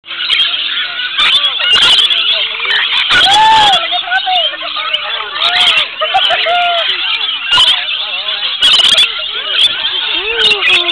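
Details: A large flock of rainbow lorikeets being fed at Currumbin sanctuary, Gold Coast, Queensland, Australia, gives a dense, constant chorus of shrill, screechy chatter, with people talking nearby throughout.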